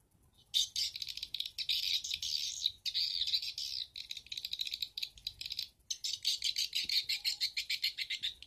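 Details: Edible-nest swiftlet lure sound for swiftlet farmers, the stereo 'Bulan Madu' track played from a flash disk through an amplifier to draw swiftlets into nest houses: dense, high buzzy chirps in long runs broken by brief gaps.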